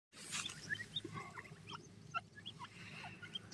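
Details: Black francolin chicks, called gora teetar or mosmi teetar locally, giving brief, scattered high chirps and thin peeps at irregular intervals over a steady low rumbling background.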